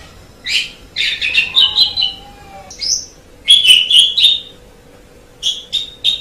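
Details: Javan pied starling with bursts of scratchy chattering and whistled phrases, a thin drawn-out whistle running beneath, then a final trio of sharp chirps.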